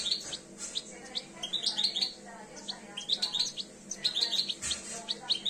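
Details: European goldfinch, two years old, beginning its breeding condition, repeating short phrases of high liquid chirps and twitters in clusters roughly every second, with a steady low hum behind.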